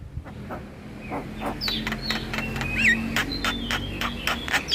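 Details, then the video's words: Javan myna chatter for luring mynas and starlings: quick repeated clicks, about three to four per second, with a few level and curling whistles over a steady low hum. "PAncingan Semua Jenis Burung Jalak dengan Ocehan Jalak Kebo Masteran"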